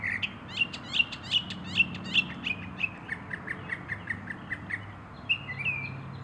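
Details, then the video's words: Northern mockingbird singing: a run of sharp, repeated chirping notes, about two or three per second, shifting midway to a lower, softer series, then a brief whistled phrase near the end. "Mockingbird singing song / sounds"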